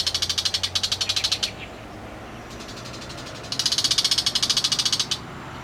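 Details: Bull-headed shrike giving loud, harsh grating calls, with sparrow-like mimicry noted at times: two bursts of rapid, evenly pulsed rasping notes, each about a second and a half long, separated by a quiet pause.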